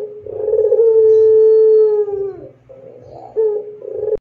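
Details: Barbary dove (puter pelung) gives a long, clear, steady, drawn-out coo that sags at the end, followed by shorter rolling coos.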